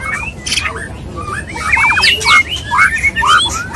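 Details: White-rumped shama mating sounds, a male wooing a female: a busy mix of short slurred whistles, a rapid rattling burst, and swooping high squeaks and squawks in quick succession.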